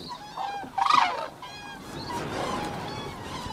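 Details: Cranes (koonj) frolicking in farm fields give one loud, harsh honking call with a nasal ring, framed by fainter honks before and after over steady background hiss.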